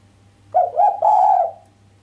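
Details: Cooing of a female island collared dove, sharp and without the 'kuk', said to excite the male: two quick wavering notes lead into a drawn-out steady coo of about half a second, over faint hum.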